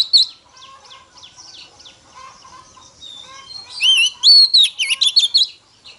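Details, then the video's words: A female Oriental magpie-robin sings in the forest-voice style to rouse male birds. Soft, evenly repeated chirps lead into a loud climax of rich, looping whistles and sharp notes near the end. "Choè than mái kích trống hay nhất"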